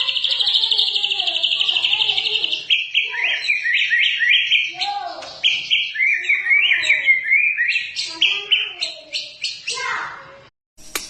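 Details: White-rumped shama, Medan variety, in full song: a high, rapid chattering trill that shifts into a string of varied, chopped whistled phrases, dense and fast throughout.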